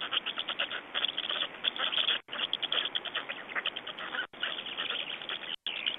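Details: Feeding and change-over of Estonian black storks, 25 May 2012, afternoon: fast series of rasping, chattering calls in dense volleys, cut by three brief silent breaks.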